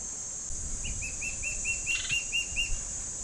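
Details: Begging juvenile Gabar Goshawks, two birds waiting in a tree for parents to bring food; a brisk run of around ten high, clipped piping notes, evenly spaced, against a persistent shrill insect hum and faint low rumble.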